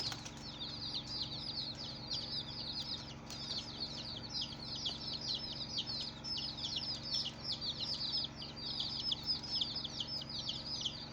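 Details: Colourful baby chicks in a steady chorus of shrill falling peeps, rapid and overlapping, several calls per second throughout, over a low background hum.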